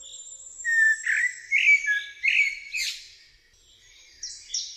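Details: Eurasian blackbird singing: low, fluted warbling phrases that slide and wobble, followed by a brief thin, high squeaky twitter, then a pause and a short high note at the end.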